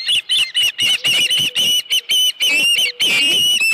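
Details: Osprey at its nest on Dunrovin Ranch on 31 July 2018, morning, around a headless fish: loud, irregular series of shrill whistled chirps, some slurred and doubled, about two per second.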